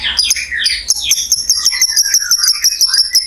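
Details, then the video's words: Lovebird giving a long ngekek trill, used as a lure to spur other lovebirds into singing; high, rapid, steady pulses run under scattered sharp chirps and short sliding notes. "SUARA BURUNG LOVEBIRD NGEKEK PANJANG"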